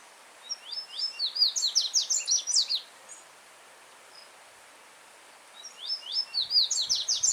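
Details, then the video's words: Free-living yellow-bellied seedeater delivering a vibrant, well-marked song phrase of fast rising whistled chirps lasting over two seconds, then silence before another phrase begins, backed by the calm murmur of a brook over rocks. "Coleiro Baiano Cantando Forte com Som de Riacho ao Fundo"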